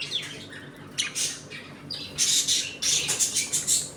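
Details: Pet budgerigars in a home colony, eating, playing and squabbling, make harsh squawks and rapid buzzy chirps, turning into a dense burst of repeated scratchy notes toward the end.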